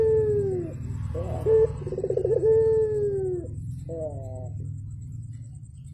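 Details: Javan turtle dove, actively calling in the morning: a rolling, fluttering coo, then long steady hooting notes that slide down at the end, with a short rolled burst after a pause. A low hum runs underneath.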